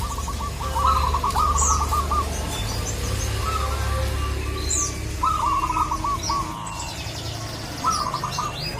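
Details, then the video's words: Local zebra dove calling a rival, giving a few rolled coo phrases at intervals through a noisy background of low hum and occasional high bird chirps. "Perkutut lokal gacor memanggil lawan"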